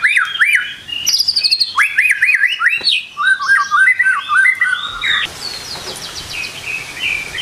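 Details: White-rumped shama in morning song, recorded as a lure to set birds singing: quick rising whistles and trills, a buzzy stuttering phrase midway, then quieter high notes over background hiss.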